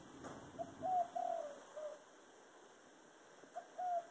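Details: Dove cooing in the 'thổ đồng' voice: a low four-note phrase of short and drawn-out coos, a long pause, then the next phrase begins with two coos. The background is quiet.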